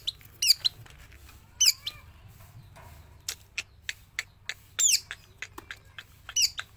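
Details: Javan long-tailed shrike, a trained bird singing both caged and released: scattered high, squeaky, down-slurred notes and short clicks separated by brief pauses, over a soft low hum.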